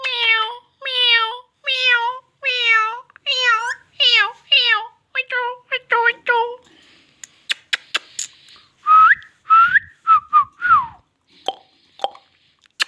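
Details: Indian ringneck parrot talking in a run of nasal, speech-like syllables that grow shorter and quicker. Sharp clicks follow, then a few rising whistled notes and soft, scattered sounds.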